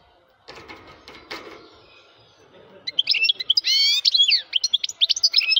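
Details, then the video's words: A male European goldfinch (masked type) sings a loud, fast, liquid twitter of tinkling and buzzy notes, after a couple of seconds of muffled voices and handling noise. "hassoun bird voice - ذكر حسون مقنين يغرد بصوت قوي - Voix de chardonneret -Chant Chardonneret"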